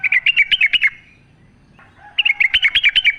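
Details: Sooty-headed bulbul in the wild, natural sound used to get captive bulbuls singing: two bursts of quick, bubbling chirped notes around one second each, separated by a pause of roughly a second, clean background.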